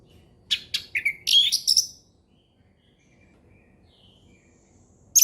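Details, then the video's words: Orange-headed thrush in ngeplong style, a lure for young birds learning it: a quick burst of sharp chirps and a rich twittering phrase for about two seconds, then silence and one short high note at the end. "SUARA HUTAN ANIS MERAH NGEPLONG SANTAI"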